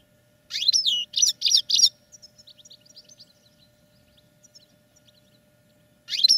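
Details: Caged European goldfinches kept for song training: a burst of loud, buzzy, twittering notes in rapid repeated phrases, then softer scattered chirps and a quiet gap before the bright twitter returns at the end.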